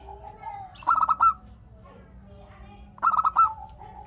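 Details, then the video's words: Zebra dove song from a vigorous local bird meant to set other doves answering: two bursts of fast, pulsed cooing notes roughly two seconds apart, softer coos and a brief high chirp nearby. "Perkutut Lokal Gacor Untuk pancingan kutut perkutut agar saling bunyi BERSAUTAN"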